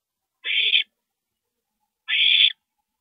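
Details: Night at an owl nest, 2:40 AM, April 22, 2012, while a parent visits: two rasping, breathy screeches about a second and a half apart, each lasting roughly 0.4 seconds, in otherwise quiet surroundings.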